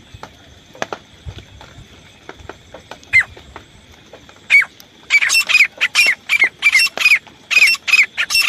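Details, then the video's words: Grey francolin call of the kind used by hunters: faint clicks at first, then a loud run of harsh, squawky notes with a falling whistled tail, about two each second. "देसी तीतर आवाज। शिकारी तीतर की आवाज।"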